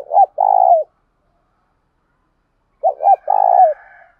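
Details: Spotted dove calls used to provoke wild doves to answer. Two phrases, each of quick short notes and a long, husky, falling coo, about three seconds apart. Faint higher whistling trails the second phrase.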